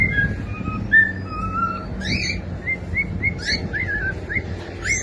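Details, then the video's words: Cockatiel giving a string of short whistled notes, level tones first, then quick rising and falling slurs, over a steady low background rumble. "SOM DE CALOPSITA CANTANDO"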